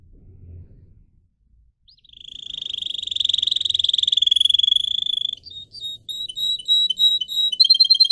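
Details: Pet canary singing for song training: after a quiet start, a long rapid trill near one pitch, then clipped whistled notes and quick chirping phrases.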